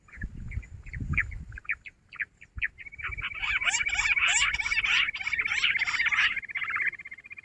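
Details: Jungle bush quail (Perdicula asiatica) call, recorded 16 June in a quail-trapping context: scattered short chirps build into a dense, overlapping chorus of shrill whistled notes over a steady trill, as if several quails call together. Low rumbling handling noise at the start.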